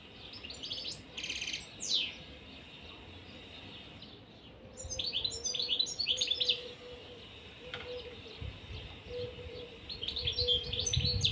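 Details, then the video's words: European serin pair kept together in a cage, giving repeated rapid bursts of high, wiry, jingling twitters, with a faint low steady hum underneath. "طائر البسبوس في القفص_serin cini en couple dans la cage"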